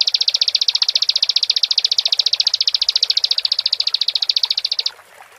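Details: Persistent song of a Bar-winged prinia: a rapid, steady string of piercing high notes lasting about five seconds before cutting off.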